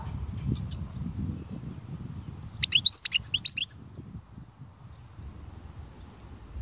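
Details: European goldfinch, khalwi song style, delivering one lively phrase of rapid high twittering chirps midway, surrounded by quiet low room noise.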